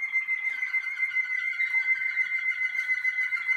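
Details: Malinois Waterslager canary singing in a cabin while warming up on first outings. A loud, steady, pulsing whistle holds at one pitch throughout, with a lower rolling layer beneath.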